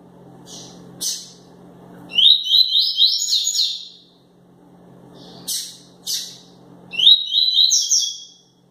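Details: Double-collared seedeater, described as 'quente' (fired up), singing the tui-tui song style: two bursts of rapid, buzzy, ladder-like whistled notes, each preceded by short sharp high chirps, over a low steady indoor hum.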